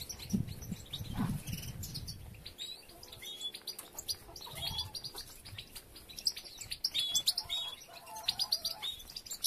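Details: European goldfinches during nest building, females gathering material with several nests under way; dense high twittering and chirps from several birds, with a low voice and handling noise in the first seconds.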